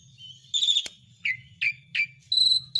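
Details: Asian pied starling lure song meant to restart a stalled bird: a sharp whistled note, three evenly spaced descending chirps, then clear level whistles, with a low hum underneath.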